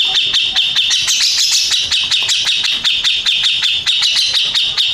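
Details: First-place contest-winning grey-cheeked bulbul sings a dense run of high, rapidly repeated chattering notes, roughly four per second, over steady sharp clicks.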